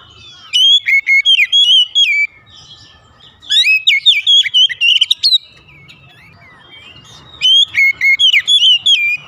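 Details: White-rumped shama singing in the morning: three loud bursts of rich, varied whistled phrases with sharp sliding notes and rapid chirps, separated by short pauses, over a quiet background.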